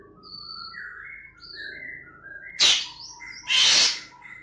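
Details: Caged Black-winged starling recorded on 28 September 2018, singing a varied song of thin whistled notes and slurred phrases broken by two loud harsh bursts.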